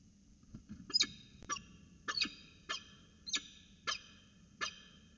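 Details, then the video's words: Peregrine falcons at the Orange CSU nest site, 5 January 2020, with slow-motion footage; harsh, grating calls rich in overtones, repeated roughly every second, six or seven in a row over a faint low rumble. "Peregrine Falcons"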